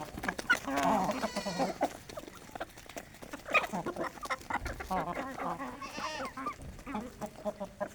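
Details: Strong, healthy Aseel hens feeding together on grains in a village farm early in the morning; rhythmic, nasal clucks repeat throughout, with a brief higher squawk near the end and rustling between calls.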